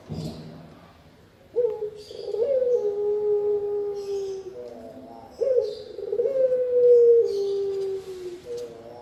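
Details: Spotted dove, for luring and master training; two separate low coo phrases, each a short burred note then a long sliding hoot falling slightly, with scattered high twitters from other birds.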